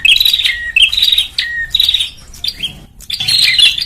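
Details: Bar-winged prinia (prenjak) lure sound used to gather birds: five short, intense buzzy trills separated by clear downslurred whistles, a brief silent gap, then a final busy, chattering burst.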